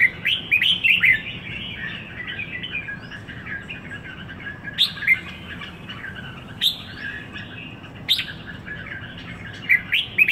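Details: Merbah jambul, the red-whiskered bulbul, kept caged in Singapore for one week, opens with a rich run of liquid whistled phrases, then gives scattered short chirpy notes and rising whistles over a quiet background hum.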